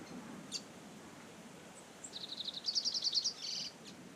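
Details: Double-collared seedeater recorded live in nature, singing a short phrase of fast, high, evenly repeated chirping notes that ends in a buzzy trill, after a quiet stretch with one isolated chip and a soft background hiss.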